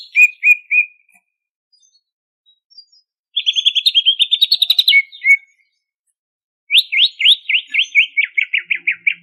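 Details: Greater green leafbird of Banyuwangi origin in full ngentrok song: three short whistles, a quiet gap, a rapid rattling trill lasting over a second, then a long series of quick downslurred chips.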